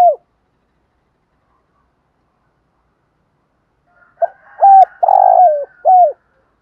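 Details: Spotted dove kept as a lure to excite wild doves. After a single falling coo and a long silence, the bird delivers a full phrase of clipped, drawn-out and falling coos over a faint steady hum.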